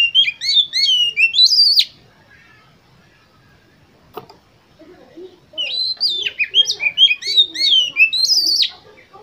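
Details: Oriental magpie-robin song aimed at triggering contest birds: two bursts of fast, rich whistled phrases with high rising ends, separated by a quiet gap with a brief click.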